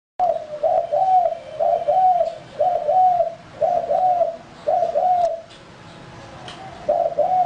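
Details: Male spotted dove kept as a lure bird, giving a series of soft, husky double-noted coos in steady succession with short gaps, ending after a brief pause with one more coo.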